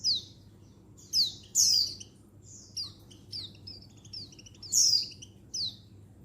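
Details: Settled female Oriental white-eye of the untulan type calling to males, used to stir up wild-caught birds, 19 November 2022; sharp, high, downslurred chirps in an irregular series with softer notes between, over a low steady hum.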